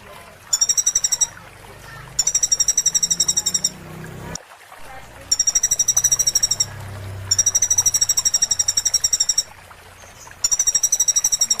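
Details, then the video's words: Sunbird singing, used as a tutor recording for caged birds. Repeated bursts of fast, high-pitched pulsed trills, each about a second long, alternate with brief gaps over a low background rumble. "MASTER BURUNG KECIL KOLIBRI"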